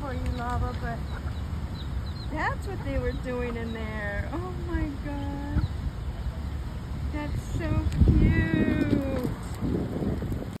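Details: Hens with their baby chicks: repeated high peeps and wavering trills, many descending, followed by louder overlapping mid-pitched calls and rustling near the end, over a constant low rumble.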